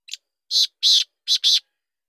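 Black francolin giving a harsh, grating phrase: a brief click, then a rasping note and two quick paired screeches, all within about a second and a half.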